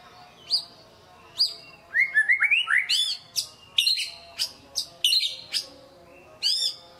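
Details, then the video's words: White-rumped shama lure song for prompting quiet birds to sing: a rich, varied run of upslurred whistles, sharp high notes and quick buzzy bursts, delivered in rapid, uneven phrases. "PANCINGAN MURAI BATU GACOR DOR 100% AMPUH NAIKKAN EMOSI MURAI MALAS BUNYI"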